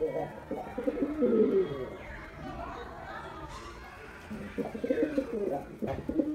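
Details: Male white domestic pigeon performing, giving low throaty cooing bursts at the start and again near the end, with a quieter gap between; faint chatter and higher bird sounds in the background.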